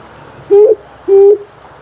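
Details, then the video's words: Amethyst brown fruit dove lure call for bird hunting, a pair of smooth, level hoots spaced roughly half a second apart, the second mirroring the first, with faint hiss between them. "Amethyst brown fruit dove🕊️ClearSound"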